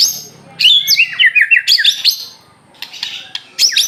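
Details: White-rumped shama of the Aceh type singing actively: a rapid run of sharp, varied whistled notes and slurred phrases, many bright high tones, then a short pause and further clipped high notes; faint low hum beneath.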